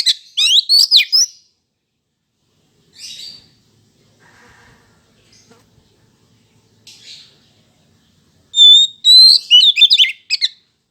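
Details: Oriental magpie-robin song meant to prompt males to answer: a loud burst of mixed whistles and harsh chatter, scattered quiet notes in a long lull, then another rich, rapid phrase of whistling and chirps.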